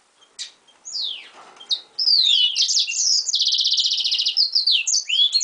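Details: Hybrid pintagol, a yellow-rumped seedeater crossed with a canary, finishing its molt. A few soft, scattered notes lead into loud, continuous song of swooping whistles, a steady rapid trill, and chattering high twitters.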